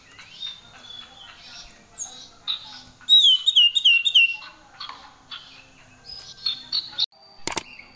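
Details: Common iora in active gacor song, full of varied fill-in phrases: high thin whistles and a rapid run of bright chirping notes, then rising whistles, ending with a sharp loud click.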